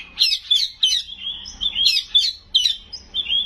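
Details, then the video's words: White-rumped shama in a strong 'nembak' style song full of mimicked phrases: crisp whistles, quick downslurred chips and buzzy trills, delivered in tight bursts roughly twice a second, without background noise. "Suara Burung Kacer Gacor full isian Nembak"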